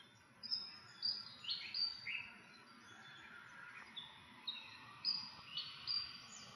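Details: An Arctic warbler, recorded November 18, 2021, gives sharp, high, down-slurred call notes at an uneven pace, about one or two a second, over a faint steady background hiss.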